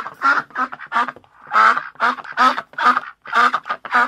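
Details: Steady, loud quacking from a duck, harsh nasal calls repeated in quick succession throughout.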